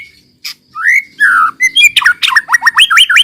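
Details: White-rumped shama song used as a lure for other shamas: a few slurred whistles and a sweet upward note, followed by a quick burst of rising hooked whistles.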